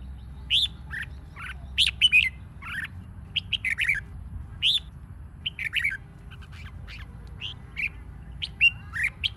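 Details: Red-whiskered bulbul singing as a decoy to stimulate competition singing: short, sharp, high chirpy notes, single and in quick pairs, scattered irregularly over the clip above a low steady hum.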